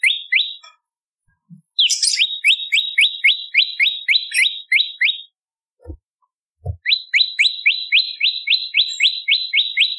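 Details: Bar-winged prinia song for luring songbirds: long series of sharp, upward-flicking chirps repeated about four times per second, broken by a brief silence and low thuds, then resuming at the same pace.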